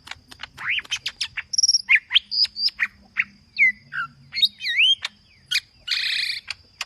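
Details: Green leafbird singing aggressively with full fill: quick chirps leading into rising slurred whistles, high thin notes, looping S-shaped whistles, and a harsh buzzy burst near the end, delivered in a steady chattering flow.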